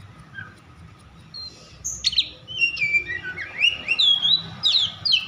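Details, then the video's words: Oriental magpie-robin agitated song used to goad other magpie-robins into singing; quiet start, then a sharp buzzy note and a run of rising and falling whistled phrases. "Kacer over emosi cocok untuk memancing Kacer lain agar bunyi dan gacor"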